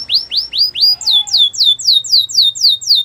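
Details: Belgian canary song with three upswept whistles, then a steady tour of quick downslurred notes repeated about four times a second, clear and high-pitched.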